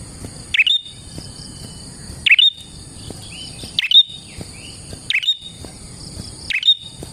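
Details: Prinia in full active song, used as a lure for trapping prinias: five sharp, high chirping bursts spaced about every one and a half seconds, over a steady high insect-like hum.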